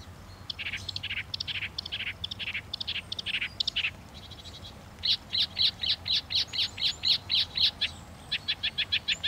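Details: Northern mockingbird delivering rapid, harsh repeated notes: first a rattling series of buzzy bursts, then a fast, even train of high chips about four per second, against low background noise.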